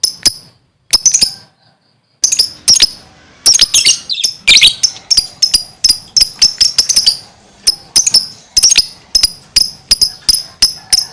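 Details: Gacor singing from a lovebird, delivered as a long train of piercing, clipped high chirps, at times bunched into rapid scratchy flurries, nearly continuous after a short opening pause.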